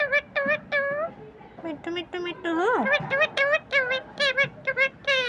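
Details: Talking green parrot imitating human words: a rapid string of clipped, nasal speech-like syllables, one long rising then falling swoop in the middle, then more short choppy notes to the end.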